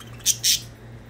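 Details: Pet budgerigars playing indoors: two short, bright, high chirps in quick succession over a steady low electrical hum.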